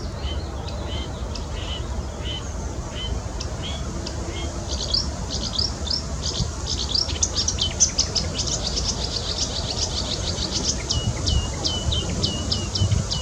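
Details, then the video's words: Marsh warbler singing in Bitsevsky Forest: a fast, continuous chatter of varied high chirps, trills and clicks, ending in a run of repeated sharp downslurred whistles, over a steady low rumble of background noise. "Болотная камышовка"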